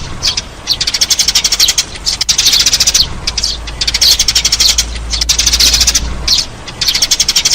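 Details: Eurasian tree sparrow lure calls, with steady streams of high, quick chirps in repeated bursts and a faint low hum beneath.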